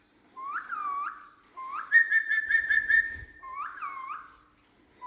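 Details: Pet Indian ringneck parrot indoors, whistling loud, clear, bending notes that rise and fall, then a long steady trilling whistle, then more swooping whistles, while being coaxed to act like a cat.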